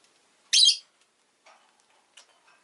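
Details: Rosy-faced lovebird kept as a pet, uttering one loud, shrill, buzzy chirp lasting about a third of a second, then quiet soft scratches and a brief faint squeak.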